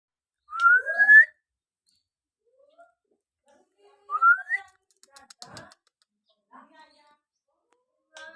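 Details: White-rumped shama recorded in Bodas village, Karangjati, Rembang district, Purbalingga, Central Java. Two clear rising whistled phrases about three seconds apart, followed by scattered faint notes and clicks in an otherwise quiet setting.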